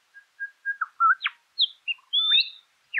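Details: Southern Scrub-Robin recorded in roadside scrub near Meningie East, South Australia, on 1 August 2021; soft repeated whistles lead into a quick run of sweet, rising and sliding whistled notes.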